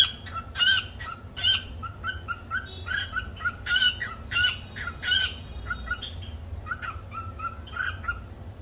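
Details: Pet cockatiel singing a learned tune, the cookie song: a lively run of chirped and whistled notes, bright and repeated in quick bursts with short squawky accents, over a low steady background hum.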